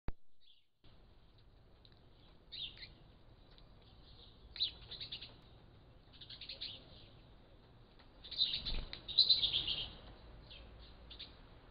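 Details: Great tits recorded in the morning by a trail camera call in high, scratchy chattering bursts that come and go every couple of seconds, over a faint low background hum.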